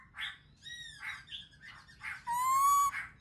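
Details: Black-throated laughingthrush song meant to spur other birds into singing, quieter here: soft, breathy notes alternating with thin harmonic whistles, then a sustained, slightly rising, buzzy harmonic note lasting over half a second.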